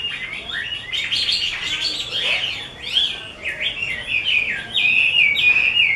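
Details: Caged Chinese hwamei of the 'mơ' colour type, kept by a bird artisan, singing a rich run of loud whistled phrases that slide up and down, with sharp rising sweeps and warbled notes flowing without pause.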